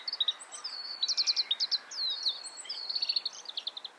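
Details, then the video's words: Oriental greenfinch in Hokkaido, Japan, breeding-season male singing: quick series of sharp twittering notes, short rattling trills and a drawn buzzy note, high and bright, with light steady background noise. "カワラヒワの鳴き声（さえずりと地鳴き） / Oriental Greenfinch bird call and sound"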